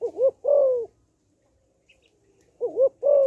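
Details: A female spotted dove calls to stimulate males, giving two low cooing phrases, each a brief warbled double note then a sustained falling coo, separated by a silent pause of nearly two seconds.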